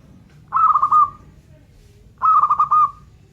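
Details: Local zebra dove, a perkutut in full voice, singing two cooing phrases about 1.7 seconds apart, each a quick run of pulsed, rolling notes ending in a longer held coo, over low background hum.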